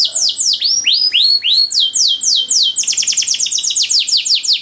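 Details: Training song for canaries with fancy ornaments: a few slow, drawn-out slurred whistles give way to a rapid, even trill of clipped high notes near the end.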